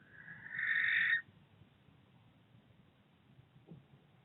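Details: Barn owl in Berkshire, one of two birds house hunting on 16 September 2021, giving a single short rasping screech under a second long, followed by near silence with faint low background noise.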